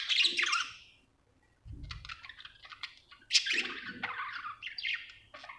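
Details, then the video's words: Happy budgie giving short bursts of bright, raspy chirps separated by brief silences, with a dull low knock partway through. "Happy budgie chirping sound"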